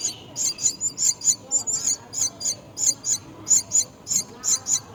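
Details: A myna caring for its young at the nest gives thin, very high squeaky chirps, repeated irregularly about three or four times a second, over a faint low background rumble.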